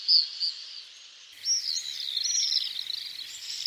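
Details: Common swift calling: two short shrill notes, a pause, then a longer run of high, buzzy screaming trills that waver up and down, with no other sounds.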